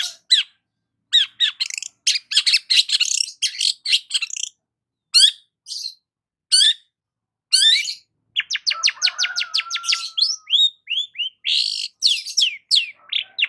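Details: A long-tailed shrike basking in the morning pours out a long medley of harsh chatters, sharp clipped notes and a fast rattling series, with rising whistled slurs near the end and a faint steady tone underneath.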